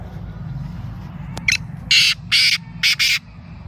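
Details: Black francolin in Sindh, Pakistan, giving a harsh, grating five-part call: one short rasping note, two longer buzzy notes, then two quick clipped ones, all within about two seconds. Faint low rumble underneath.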